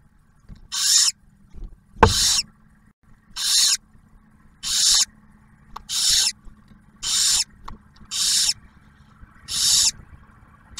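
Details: During the male barn owl's food delivery at a refuge nest camera in Ohio, the female shares the meal with the first owlet. Nine rasping hisses repeat steadily about every second over a faint steady hum, with a sharp click between them.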